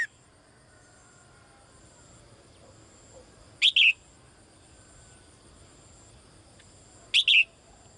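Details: Female bird, which calls daily, calling the male: two short, bright double chirps about three and a half seconds apart, separated by a soft steady background hiss.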